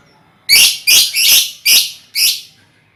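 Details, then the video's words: Lovebirds from a colony, used as a lure to set other birds trilling; five shrill, harsh chirps follow one another quickly over about two seconds, each a rasping burst, with a quiet background. "Suara Lovebird untulan koloni cocok buat pancingan ngekek"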